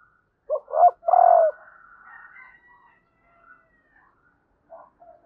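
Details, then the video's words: Female spotted dove cooing to stimulate males: two quick low notes and a long steady coo, then faint trailing murmurs and a short soft note near the end. "Tiếng cu mái kích trống"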